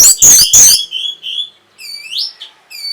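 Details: Song of an orange-headed thrush used to arouse breeding drive and draw a reply: two loud harsh rasping bursts, then clear mid-pitched whistles, a rising slurred whistle and a final piercing high note.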